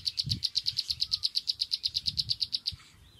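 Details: A sunbird gives a fast, steady series of about twenty bright, high tick notes, some eight per second, that stops abruptly, leaving faint low rumble and a soft thump.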